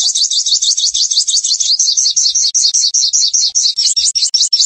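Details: Sunbird in lively song, presented as a tutor and lure recording: a continuous, very high, rapid trill of buzzy slurred notes, steady and unbroken for nearly five seconds with no other sounds.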